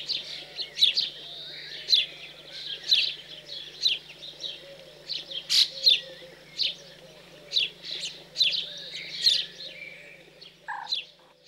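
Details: Recently fledged house sparrows being fed in cold French countryside, mid-June 2020. A long run of excited, shrill chirps comes in irregular bursts, several per second at times, with a brief lower note near the end and a constant faint hum.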